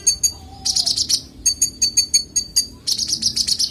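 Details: Konin singing as master training audio for songbirds, clear high chattering notes in quick clusters, then evenly spaced sharp chips, ending in a dense rapid burst.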